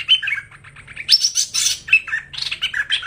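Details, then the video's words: Hoành hoạch bird call used as a trapping lure: quick bright chirps and short whistled notes in bursts, with one sharp high note near the start and dense twittering phrases following, over a faint low hum. "Tiếng Chim Hoành Hoạch Thơm Cực Chuẩn"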